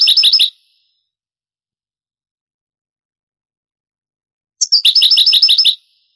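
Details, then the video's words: Granada-style European goldfinch song, taken from an old Spanish tape of the 1980s–90s: a phrase of twittering notes ends, four seconds of silence follow, then a new phrase starts with a high whistle and runs into rapid tinkling trills. "CD ANTIGUO DEL CANTO DEL JILGUERO Años 80-90 شريط تغريد إسباني قديم"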